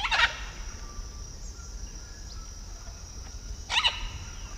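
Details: Blue-and-yellow macaw in Peru: two loud, grating squawks, one at the start and one near the end, about three and a half seconds apart, with a continuous high insect drone behind.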